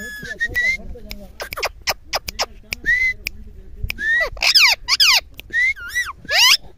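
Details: Pet parrot giving a fast string of loud whistles: short rising slurs, wavering warbled notes and sharp clicks in bursts, getting busier and more tonal toward the end, with quiet gaps between.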